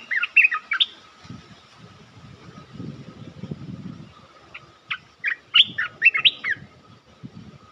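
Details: Bulbul lure call for trapping: a short bubbly phrase at the start, low rustling and knocks in the middle, then a run of quick, slurred, liquid notes rising and falling near the end.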